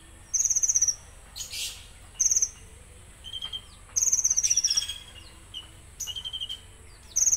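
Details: Konin giving its coarse "tembakan" song: sharp, very high rapid-fire trills about half a second long, repeated every one to two seconds, with softer mid-pitched notes between bursts.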